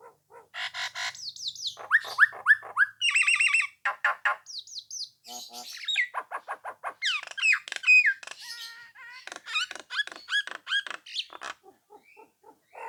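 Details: Long bout of persistent Nias hill myna song aimed at making rival birds reply and sing along; fast varied phrases of whistles, trills, harsh squawks and clicking notes, tumbling one into another.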